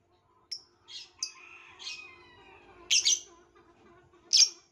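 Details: Violet lovebird chirping: scattered harsh, scratchy notes at irregular intervals, a loud double burst near the end, over a soft background of thin tonal whistles and a low steady hum.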